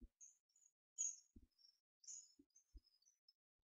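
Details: Hand-reared hawfinch chicks, two twelve-day-old siblings, recorded 4 May 2014 during feeding. Sharp, very high thin squeaks come one after another, with a few soft low knocks from handling between them.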